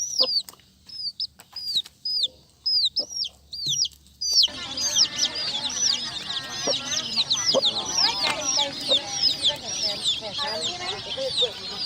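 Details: Colourful chickens' chicks peeping: a single chick gives shrill, arched peeps in quick, uneven series for about four seconds, then a dense chorus of many chicks peeping over one another, with busy background noise.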